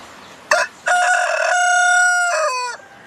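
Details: Domestic rooster giving one full crow, a brief rough note, a pause, then a long sustained ringing cry that falls away at the finish, loud against a quiet background.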